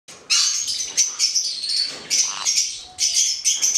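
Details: Hand-reared male black-headed caique giving harsh, high screeching calls in short rasping bursts, several per second with brief gaps, over a quiet indoor background.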